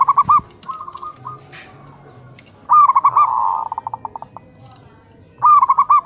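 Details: Local zebra doves trading morning calls: three bursts of stuttering coos at a steady pitch, one followed by a slowing series of separate beats, with a brief click and faint background murmur.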